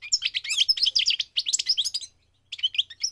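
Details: Dense, tinkling warble from a goldfinch during migration, two seconds of rapid chirps and buzzy trills, a brief gap, then a few more high notes.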